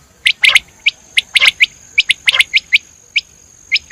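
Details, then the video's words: Rapid, crisp quail notes, common quail or batir, snap out in clustered doublets and triplets over a faint steady high-pitched hum, the phrases coming roughly once a second. "Best sound of 2022 Batir sound . common Quail sound"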